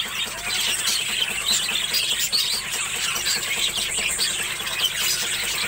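A flock of budgerigars chatters nonstop with bright, high warbles, chirps and squeaky twitters.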